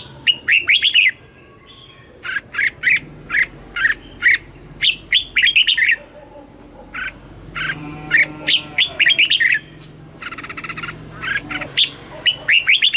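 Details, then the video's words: Red-whiskered bulbul, southern master-style song used to stimulate caged birds and train young birds: many short lively whistled phrases of quick up-and-down notes, coming in rapid groups with brief gaps, faint low hum behind. "เสียงนกกรงหัวจุก สำหรับต่อ หรือ เปิดให้นกคึก เสียงเพราะๆ"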